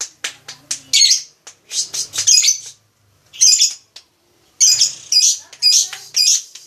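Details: Lovebird song: bursts of harsh, high chirps and squeaky twittering in quick clusters, separated by short pauses, with faint low thumps underneath.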